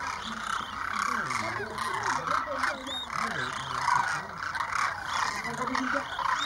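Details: Massed Demoiselle cranes, around 2,500, flying overhead and arriving to drink at a small lake at Keechan, Rajasthan, India, in January 2016; a constant chorus of overlapping rolling calls, louder in pulses, with undulating low notes throughout.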